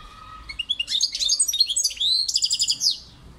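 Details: A European goldfinch runs through a continuous sweet twittering phrase, fast chirps rising and falling, then a buzzy, rattling trill of evenly repeated notes before fading to quiet.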